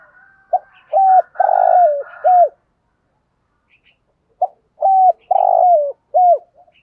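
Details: Spotted dove lure bird calling to draw wild doves to coo back. Two coo phrases separated by a quiet gap, each a short note, a level coo, a long burred descending coo and a falling end note, with a rough hiss behind the first.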